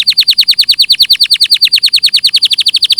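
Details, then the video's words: A canary delivers a very even rapid trill of falling, chirping notes, about ten per second, steady for three seconds in a clean recording. "Masteran suara burung KENARI"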